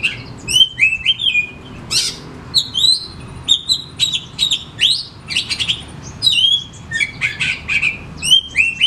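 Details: Oriental magpie-robin lure song to get reluctant caged birds singing: a continuous stream of bright, varied whistled phrases with sharp upslurs, chatters and quick trills, barely pausing.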